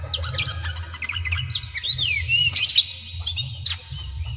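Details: Kacer daput, an oriental magpie-robin, singing aggressively to provoke a rival to fight: rapid high whistled slurs, trills and sharp chirps packed densely together, with a steady low hum underneath.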